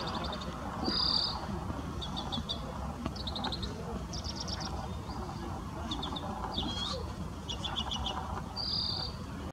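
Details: Oriental greenfinch singing at Chanba on 15 April 2018: bright, high twittered notes and short trills with an occasional nasal buzz, every second or so over a steady low rumble.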